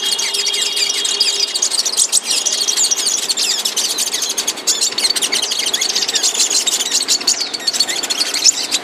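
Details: Moulting flowerpecker kept in captivity gives a continuous, dense, high twitter of quick chips and short trills for about nine seconds, with a faint low background hum.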